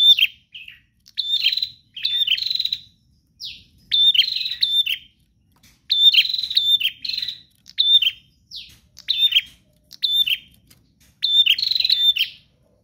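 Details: Long run of bar-winged prinia song in persistent, pause-free gacor style: roughly a dozen short phrases, each a high sharp note breaking into a rapid buzzy pulse trill, repeated about once a second with brief gaps.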